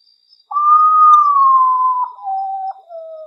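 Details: Midnight song of the potoo, a nocturnal bird called the ghost bird: one long, loud, pure whistle that sags gradually, breaking into two lower steps at the end.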